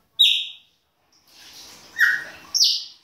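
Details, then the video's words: Winter song of a Chopi blackbird, baianinho style: a sharp high whistled note, a pause, a soft buzzy passage, then two bright clipped whistles near the end. "PÁSSARO PRETO BAIANINHO E SUAS CANTORIA DE INVERNO !"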